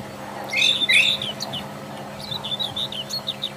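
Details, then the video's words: Brown Thrasher singing freely in the wild: a loud pair of rising, slurred whistles, followed by a quieter, rapid series of chirpy, wavering phrases. "Seribu kicau..!!"Brown thrasher"Burung termahal.Gacor di Alam liar."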